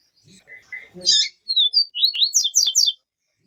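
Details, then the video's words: Papa-capim viviti (yellow-bellied seedeater) with female call meant to stir up the male: a few harsh chirps, then a quick run of bright, sharply falling whistled notes. "PAPA CAPIM VIVITI E PIADO DE FEMEA"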